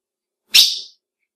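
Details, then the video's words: One abrupt, high, slightly rasping chip from a female ultramarine grosbeak, a call males recognise and react to with excitement; otherwise silent. "PIADO DE AZULÃO FÊMEO Para Esquenta qualquer Azulão!"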